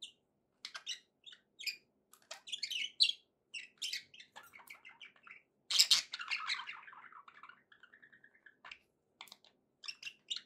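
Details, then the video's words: Budgerigar warbling from pet birds: scattered sharp chirps, then a loud harsh squawk followed by a falling, buzzy trailing warble and more light ticking chirps. "budgie sounds to encourage your parrot to eat and sing"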